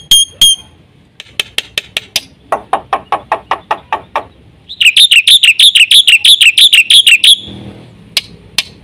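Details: Black-winged myna in full prolific song, packed with varied phrases: a few bright whistled notes, a run of sharp evenly spaced clicks, then a fast buzzy rattling series of high chattering notes, ending with two isolated calls.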